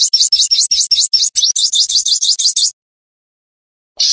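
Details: Sunbird known as sogon in a bird-luring recording: a chain of distinct high, slurred, zigzag notes, about six per second, breaking off, then a brief new high phrase.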